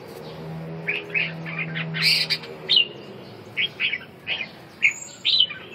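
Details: Red-whiskered bulbul giving a series of clear, fluty whistled notes in short bursts, some rising and some falling, separated by brief pauses, against a steady low electrical-like hum.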